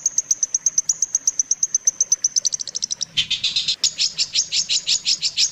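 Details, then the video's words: Long-tailed shrike tutor recording for teaching songs to shrikes: thin, high piping notes accelerate into a fast run, then change to a harsher, fuller trill of repeated high chirps. "suara masteran burung cendet paling di cari"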